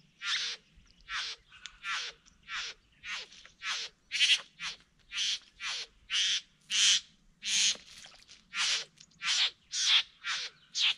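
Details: During a courtship dance at Wombeyan Caves reserve, a satin bowerbird produces a long steady series of about eighteen loud rasping, crackling buzzes, roughly two every second, with a faint low hum underneath.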